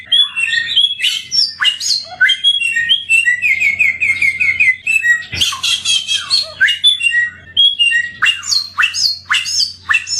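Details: Endemic samyong bird with a melodious voice, song used as a training recording: varied, lively phrases of sharp chips, rising whistles and a run of clear slurred notes, delivered almost without pause.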